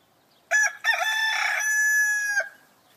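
A rooster gives one loud crow, two quick opening notes then a long held, strained note ending after about two seconds.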